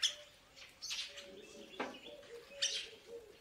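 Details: Purple starling, also called purple glossy starling, giving a few harsh, buzzy, squeaky bursts spaced about a second apart, with a steady low tone and soft cooing beneath.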